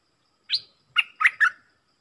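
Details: A short phrase from a stripe-throated bulbul: one high clear note, a brief pause, then three quick, warbled, liquid notes stepping lower. The recording is quiet and clean.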